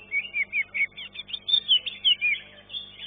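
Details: Caged green leafbird singing in a bird-song contest, placing third in class 1; a fast series of high, clear whistled notes rising and falling, repeated about every quarter second.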